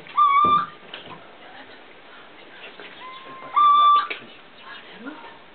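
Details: Little owl recorded on 24 July 2009: two short, steady whistled notes about three seconds apart over faint clicks, rustling and low background noise.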